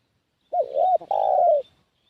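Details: Decoy call of a spotted dove, used to attract wild doves: one phrase of a brief hooked note, a rising-then-falling coo, and a long, steady coo that slowly sinks at the end.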